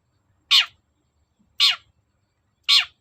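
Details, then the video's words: Long-tailed shrike calling energetically as a lure meant to provoke another shrike into answering: three harsh, rasping, broadband notes about a second apart, each sliding downward at its tail, over a quiet background with faint low rumbles. "BURUNG CENDET GACOR NGOTOT || pancingan cendet agar nyaut gacor"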